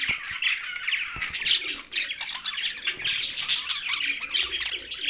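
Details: Young budgerigar giving harsh squawks mixed with quick chirps in a steady, crowded stream, with brief louder bursts and a few sharp clicks.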